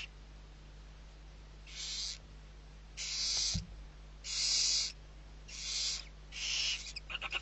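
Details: Barn owl brood of six being fed in the Riet Vell reserve, Ebro Delta, Spain, November 2023. Five breathy hissed screeches follow one another about every second, with a soft thud midway and a quick rattle of pulses at the end.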